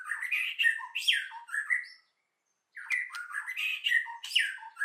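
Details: Forest-voice song of a white-rumped shama, 'kéo thuốc lào' style, meant to rouse newly caught birds: rich run of slurred whistles and harsh chattering notes, a brief silent gap, then another varied burst.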